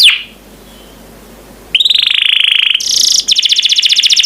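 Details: Canary song from a master recording meant to train other birds to sing: after a short high whistle and near silence, loud rapid high trills start, then a buzzy rattling trill and fast repeated notes.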